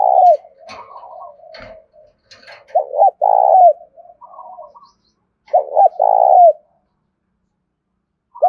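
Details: Tame decoy spotted dove in rural Dong Nai, Vietnam, calling urgently to attract wild doves; low mellow coo phrases, each a short double note then a long sustained coo, repeated about every three seconds with softer notes between.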